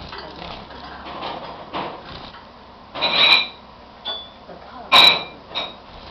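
Society finch giving a few short, high, thin chirps spaced a second or two apart, against a faint clinking household background.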